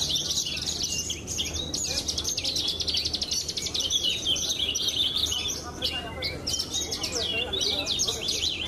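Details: Competition Javan bush lark of the pied blorok type, recent Brenjes Mania best-of-the-best winner, sings an unbroken stream of shrill rapid trills and buzzy rattling phrases, dense and high-pitched throughout, over faint low background rumble.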